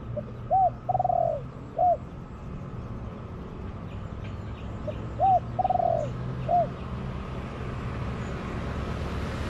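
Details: Spotted dove, wild, in a garden responding to a decoy: two full cooing phrases about four seconds apart, each a short coo, a long rolling trill-like coo, then a single clipped note, over quiet rural hum.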